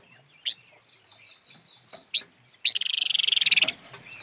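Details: Two sharp, isolated chips from the five-coloured bird (chim ngũ sắc), followed by a loud, fast rattling trill of about twenty pulses lasting roughly one second, with faint background rustle.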